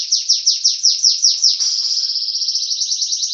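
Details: Champion canary in full song: a series of evenly spaced downward-slurred whistles about six per second, then a continuous rapid rolling trill held steady and high-pitched.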